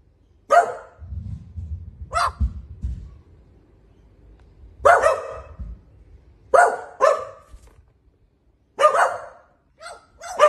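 An Australian magpie mimics a dog, giving sharp, barking yaps in short bursts with pauses between.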